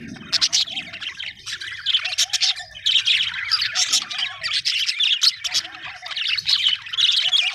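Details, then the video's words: Budgerigars chirping happily: loud bursts of squeaky, grating chatter, with repeated short lower trilled notes in between and a faint low rumble. "happy budgie chirping sound"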